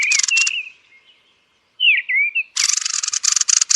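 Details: Harsh rapid chatter from a thrush at roost fades out, followed by two slurred whistled notes, then a fresh loud series of dry clicking rattles.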